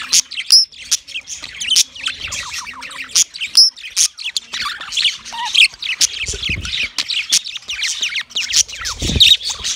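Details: Yellow male budgerigar's mating chirps: ongoing dense warble of descending chirps, squeaks and a few whistled notes, with faint low knocks in the background.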